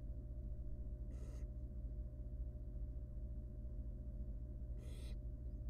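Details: In a monitored nest box, a wild barn owl nestling begs as its mother comes to help with a huge rodent: two harsh, noisy hisses about four seconds apart over a steady low hum.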